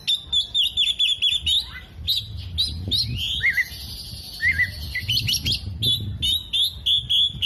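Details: Actively singing Oriental magpie-robin with spread tail, mimicking kolibri, jenggot and lovebird; fast rattling trills of thin high notes, a sweeping lower whistle and looping warbles, then renewed rapid chip series.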